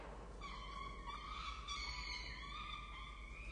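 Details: Peregrine falcon chicks in a nest on the Charles Sturt University campus, Orange, Australia, on 23 October 2023, give a continuous high, harsh, wavering begging wail with stacked overtones at feeding time, over a low hum.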